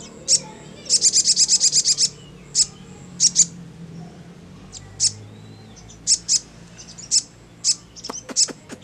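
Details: Ngleper song of a sogon (crimson sunbird), said to make any sogon answer fast. Opens with a rapid burst of about eight high chirps, then scattered single and paired piercing notes, ending in quick clustered ticks.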